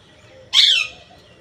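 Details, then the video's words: One loud raspy parrot squawk lasting about a third of a second, sliding downward in pitch, with a soft background hum. "Raw parrot"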